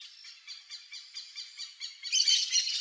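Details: Bare-faced ibis calling in a steady series of short, harsh nasal notes about four per second, building to a louder, denser burst of overlapping calls near the end.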